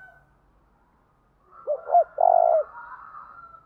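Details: Spotted dove coo used as a lure: after a quiet start, two brief hooked notes lead into one drawn-out, steady coo lasting about half a second, with faint bird twitters behind.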